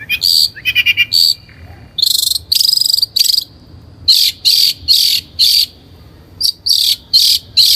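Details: Long-tailed shrike (Lanius schach), known locally as cendet, in an energetic 'gacor' lure recording for training birds: harsh, buzzy high-pitched bursts in quick succession, opening with a rapid stuttering run of clipped notes, with short gaps between blasts.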